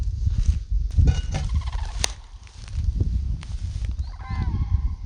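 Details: Wild common cranes calling close by, just behind bushes about 50 metres away, in northern Belarus in a warm, sunny spring: two bursts of harmonic, trumpeting calls over loud low rumbling noise.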